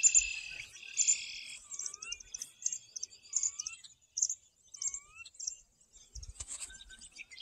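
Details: Birds singing on a golf course in Morden: rapid high chirps and twittering bursts, along with several clear slurred whistles that rise or fall, repeated every second or so.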